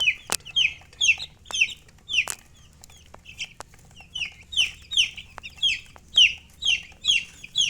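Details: Steady stream of loud descending peeps from chicks, about two each second, with a few sharp tapping clicks among them over a low background hum.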